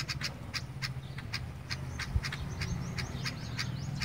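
Sparrows give a busy run of short, bright chirps, several per second, some with quick downslurred notes, over a low steady rumble of background noise.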